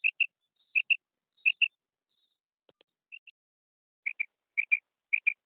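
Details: Female quail calling in bright doubled notes, each pair clipped and high. Pairs come in quick runs with a short gap midway, then resume in a steady series.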